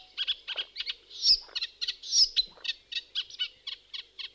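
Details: A Eurasian reed warbler, a UK summer wetland warbler, sings a steady, chattering song of short scratchy notes repeated about four times a second in an even rhythm, with two brief thin whistles from another bird.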